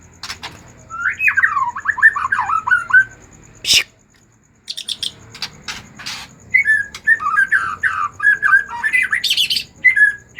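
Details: Agitated white-rumped shama song to encourage other shamas to sing: jumbled mid-pitched whistled warbles, a loud harsh burst, a short pause, then quick varied notes and sharp ticks.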